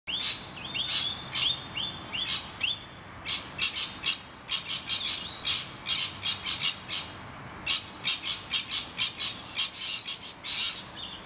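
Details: Distressed rainbow lorikeets defending their nest hollow from attacking noisy miners, screeching rather than fighting. Harsh, broadband screeches repeat rapidly in uneven bursts, with stacked, tonal notes in the first three seconds, then steady grating squawks.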